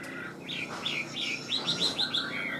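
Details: Cage-kept Chinese hwamei in song: a few swooping whistles, then a quick, evenly spaced series of about six bright, ringing notes repeated in a rapid rhythm, ending on a drawn-out slurred whistle.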